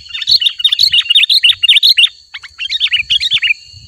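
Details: Sooty-headed bulbul in spirited song, used to lure wild bulbuls: fast rising-and-falling chirps, a short gap, then a second quick run of slurred notes, with faint low thumps and a steady high hum.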